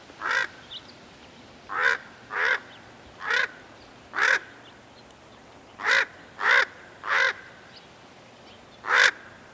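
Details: Common raven calling: nine short, hoarse croaks, some single and some in quick pairs or triplets, spaced irregularly over about nine seconds against a faint background hiss.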